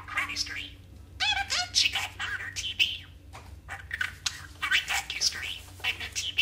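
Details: Chattering male budgerigar imitating a Clint Eastwood line and TV show quotes, a stream of buzzy, squeaky pseudo-words with quick warbles and a faint steady low hum indoors.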